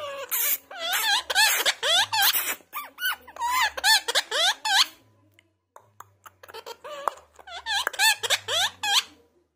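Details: Parrot talking: rapid runs of squeaky, warbling, speech-like syllables with wavering pitch, a brief near-silent pause midway, then another fast chattering stretch, recorded indoors.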